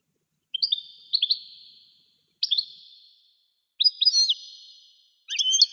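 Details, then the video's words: European goldfinch in song in a forest setting: paired clear whistled notes, a single bright note, then longer twittering phrases with swooping slurs, all ringing with echo against silence. "goldfinch Bird Singing"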